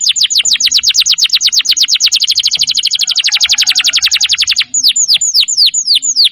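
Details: Canary song used as a master recording for training other birds: a long, very rapid rolling trill of bright descending notes, then slower, separated swooping whistles.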